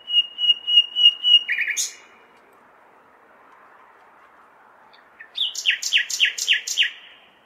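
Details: Common nightingale singing on a May night in a large city: a run of pure whistled notes repeated about four times a second, then a pause and a burst of rapid, harsh, buzzy repeated notes, over a low urban hum.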